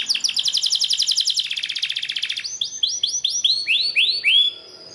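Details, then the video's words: Singing Belgian canary in a training song to prompt canaries to sing, opening with a very fast, dense trill, then slower rising-and-falling arched whistles repeated about twice a second before fading out. "CANTO PARA ESTIMULAR CANÁRIO BELGA A CANTAR - Canto de Canário Belga"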